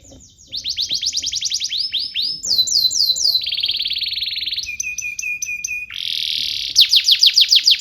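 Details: Canary in full, constant song, used as a long tutor recording for young canaries learning to sing: tours of rapid downslurred whistles, a steady buzzy trill, metallic repeated notes, then a harsh rolling buzz and loud sweeping notes.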